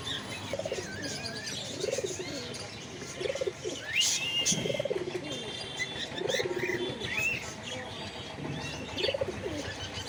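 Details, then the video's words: Pigeons cooing in low, arched, throaty notes that repeat roughly every second and a half, with higher chirps and twitters from other small birds mixed in throughout. "Pigeon sound effect"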